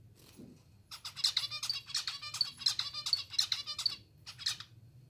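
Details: Zebra finches kept as pets beg while being fed by hand, hungry: a continuous run of rapid, buzzy, nasal cheeps, about a dozen harsh harmonic notes in quick succession, then a short pause and one final call; faint low hum.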